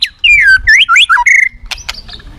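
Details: White-rumped shama singing aggressively in a way said to provoke other shamas: a loud run of clear whistled phrases sliding and looping between mid and high pitch for about a second, then a few sharp clicks.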